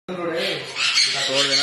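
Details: Pet yellow-crowned amazon parrot giving one harsh, raspy squawk that lasts under two seconds over a steady low tonal undertone, with no other clear sounds.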